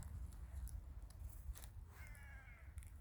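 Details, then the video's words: In a winter village, a single drawn-out, hoarse caw from a crow sounds near the end, preceded by soft rustling and taps against a deep, continuous low-frequency hum. "the sound of crows"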